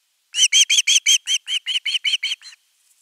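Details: Osprey at nest camera 3, 10 August 2021, begging at length for fish before a whole fish is delivered; roughly twelve quick shrill chirps, loudest at first and fading toward the end.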